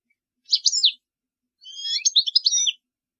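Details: A European goldfinch sings to teach young chicks, giving two bright, rapid bursts of tinkling, liquid twitters, the second longer and more jumbled.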